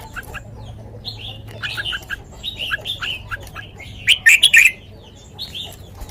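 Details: Red-whiskered bulbul singing a sweet song in the "lak wai" style: short whistled, slurred notes in quick irregular bursts, several phrases of two or three notes, with a loud burst of clicks near the end over a low background hum.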